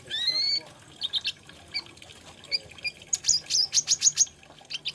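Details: Olive-backed sunbird singing: a long clear whistle with a lower harmony, then twittering notes, and a fast, regular run of piercing high chips before the song trails off.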